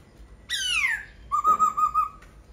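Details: Laughingthrush gives a long descending harmonic-rich sweep, then a steady, slightly wavering whistle held for almost a second.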